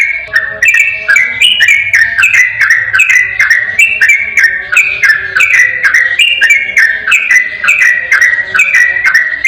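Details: Long unbroken stretch of yellow-vented bulbul song, played to prompt a reluctant bulbul to sing back; bright whistled phrases with rising and dropping steps repeat rapidly and evenly over nearly ten seconds.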